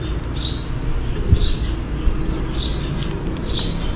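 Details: On a rainy day, a sparrow calls for food with four high chirps that each drop in pitch, spaced under a second apart. A heavy low-frequency rumble and a few soft taps sit in the background.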